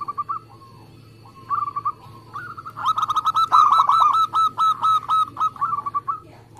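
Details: Local zebra dove in fast, tight song: quiet scattered coos at first, building into a long, loud run of about a dozen rapid, evenly spaced bubbling coo notes.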